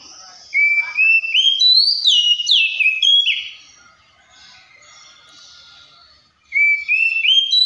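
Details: Oriental magpie-robin song: stepped rising whistles leading into swooping, falling notes, a quiet pause, then rising whistles again.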